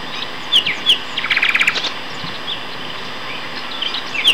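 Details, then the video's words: Two male common nightingales in song at Castor Hanglands, near Peterborough, May 2012: a pair of high slurred whistles, then a rapid rattling burst of clicks, followed by quieter scattered notes. "Nightingale Duet"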